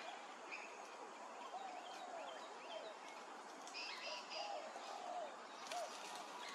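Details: Grey-crowned babblers at Hervey Bay, Queensland, give short, slurred whistles and squeaky notes in scattered bursts, partly overlapping, over a steady hiss of background noise.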